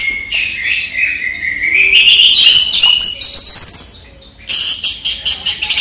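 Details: Kept orange-headed thrush in daytime song: a long whistled phrase rising steadily in pitch with trilled texture, then a quiet gap and a series of quick high notes.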